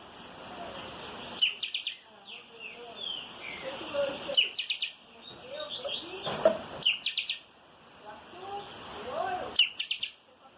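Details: Chopi blackbird (chanchão) in 'calçada baixa' song style, repeating four bursts of sharp, metallic chirps every two and a half to three seconds, with faint low murmuring and soft background notes in the gaps.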